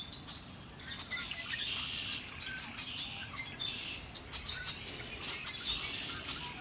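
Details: Birdsong beside Lake Erie, a chorus of bright, high twittering phrases that swell and fade every second or two against a soft low background rumble.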